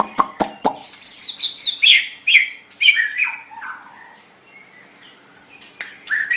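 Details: White-rumped shama song for tutoring pet songbirds: a few sharp clicks, then a tumbling run of high chirps and descending whistles, a pause, and a final rising whistle.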